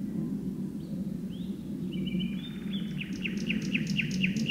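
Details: At dusk a Common nightingale deep within birch bushes gives a few rising whistles, then a long even note leading into rapid, accelerating repeated piping notes, against steady low-pitched background rumble.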